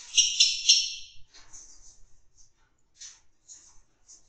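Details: Captive Fischer's lovebirds in a breeding aviary or cage, mating: a second of harsh, rasping chatter, then a few short, shrill, very high chirps at uneven intervals.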